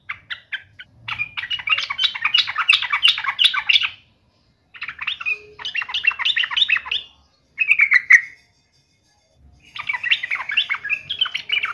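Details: Yellow-vented bulbul challenging a rival, pouring out long, rambling bursts of rapid bubbly chatter, with one brief bright rising note in between.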